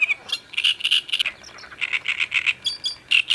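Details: Great reed warbler on the Sviyaga riverbank, 25 May 2017, giving loud, harsh, grating notes in quick croaking runs, several per second, with a few higher squeaky notes between them.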